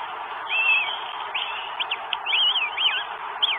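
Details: Northern goshawk arriving with food, recorded in Estonia on 12 May 2022; thin arched whistles slurring up and down, a few spaced calls then a quicker run near the end, over a steady broadband hiss.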